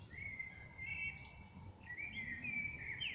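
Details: Outside a window, a common blackbird delivers a long flowing whistled phrase, sliding up and down, ending in a higher twiddle; steady low drone underneath, recorded on a smartphone.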